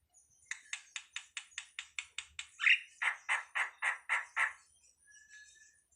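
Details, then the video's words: Jalak, or starling, song in the ala anak rimba style: about ten sharp clicks repeated rapidly, then a loud burst and six broader raspy notes in steady rhythm. "suwara //burung jalak//ala anak rimba"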